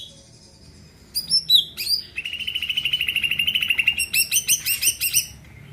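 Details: Greater green leafbird song used to make other birds sing along: high whistled notes, a long rapid chattering trill, then rich repeated chirping phrases.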